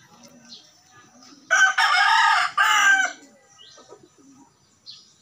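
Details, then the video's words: Junglefowl crowing: one loud, harsh, richly harmonic crow lasting about a second and a half, broken into two linked bursts, with faint soft chirps before and after in an otherwise quiet setting. "jungle fowl"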